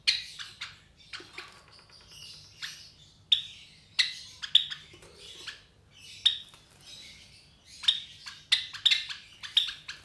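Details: Captive Java sparrow chicks around 23 days old, a brood of three from a white Java sparrow pair, make bursts of thin high chirps and scratchy notes, clustered in groups over ten seconds with brief quiet gaps.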